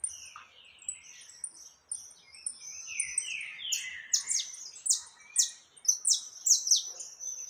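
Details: Saffron finch singing a lot, several birds loose, in Brazil: bright chirps and down-slurred whistled notes at two to eight kilohertz, quickening into loud repeated sweeping phrases in the second half, over faint background noise.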